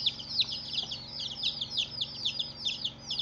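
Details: Baby chicks on their first day, loud piercing cheeps sweeping downward, tightly spaced and overlapping from several chicks.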